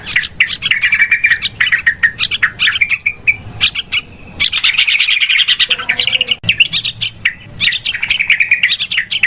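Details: Lure recording of yellow-vented bulbuls used in trapping: busy, excited chattering with quick repeated chirps and rolling phrases, briefly softer in the middle before the clamour resumes.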